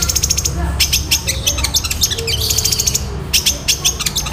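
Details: Fast 'nyeklek'-style song of a long-tailed shrike, meant for tutoring other birds: a dense stream of very high, clipped chirps and rattling notes packed closely together, with low background hum.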